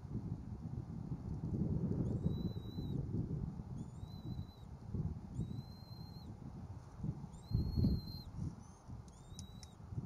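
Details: Bald eagle family at the Berry College nest on a live nest cam, two eaglets present as a parent brings a stick. Short, high, thin whistled calls repeat roughly every two seconds, each slightly falling, with wind noise and low rumbling beneath.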